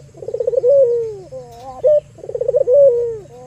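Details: Albino Barbary dove kept to lure and excite other doves: a trembling, pulsed roll melts into a long falling coo, then a short level note, and the rolling coo begins again.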